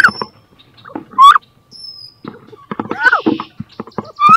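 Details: Female wood duck in a nest box during a fight between two females over laying there, 2022; a few short rising squeals mixed with scuffling taps, clicks and rustling.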